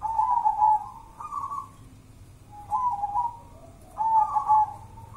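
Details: Local Javanese zebra dove from Java, Indonesia, singing: rolling, warbled coos at a steady mid pitch, given in four short phrases spaced about a second apart, over a faint low background hum.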